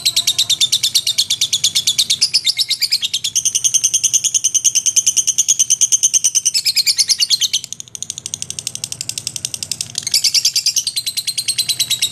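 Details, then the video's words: Lovebird in full ngekek, a long unbroken chattering trill of rapid high notes about eight to ten per second, shifting pitch bands several times over twelve seconds with a brief dip near the eighth second. "SUARA BURUNG LOVEBIRD GACOR NGEKEK & TELER"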